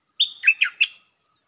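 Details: Red-whiskered bulbul song: a short phrase of four warbled, slurred notes, bright and liquid, the first held high before falling and rising again, with a quiet background.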